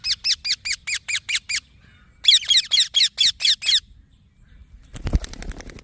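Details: Baby green parrot chirping in two quick runs of raspy, high notes, eight and seven chirps, followed by a burst of rattling handling noise near the end.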